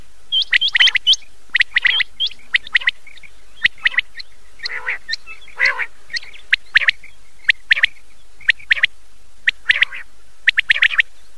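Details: Common quail at night on an old cassette tape: quick upward-flicked whistles and crisp triple notes, mixed with a few lower, hoarse, drawn-out notes, in a steady run of bursts.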